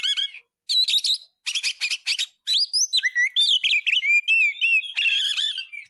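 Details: Oriental magpie-robin song for tutoring caged birds: fast clusters of sharp chirps, then long sweeping whistles and fluid warbled notes, ending in a harsh buzzy burst.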